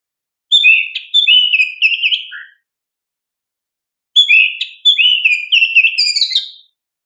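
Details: Oriental magpie-robin (kacer) song used as a lure and training recording for young birds: two loud whistled phrases of slurred, falling and rising notes around two seconds long, separated by silence, the second ending with higher sharp notes.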